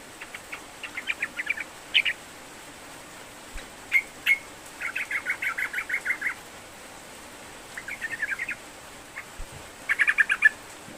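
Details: Sooty-headed bulbul song used as a lure to prompt a reluctant bird to sing: short bursts of quick chattering notes separated by pauses, a few thin whistles, over steady background hiss.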